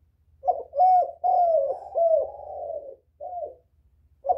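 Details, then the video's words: Spotted dove luring other doves with a run of hoarse, rolling coos, several notes running together into a long falling phrase, followed by a short separate coo and the start of another. "Tiếng chim cu gáy kích bổi mau nổi, cu gáy kích mồi hay"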